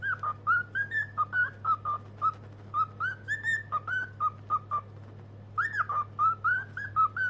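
A cockatiel whistles a quick run of clear, bouncing notes, rising and falling in a tuneful phrase.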